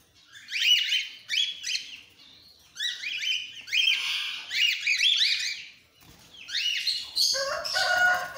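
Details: Several cockatiels of different colour mutations calling together in a loud run of overlapping chirps and upslurred whistles. The calls come in quick clusters with brief pauses, and a harsher scratchy call closes the sequence.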